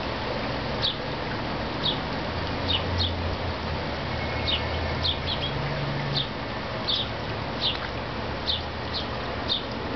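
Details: A Black-chinned hummingbird (Archilochus alexandri) feeding on California fuchsia in the San Diego area gives short, high, dry chip notes, about a dozen spaced irregularly over ten seconds, above a steady low hum.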